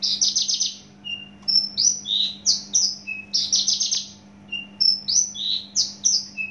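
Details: Javan bush lark from Java, kept caged, delivering quick bursts of buzzy trilled notes and rising whistles, separated by short pauses and single lower notes, over a faint steady hum.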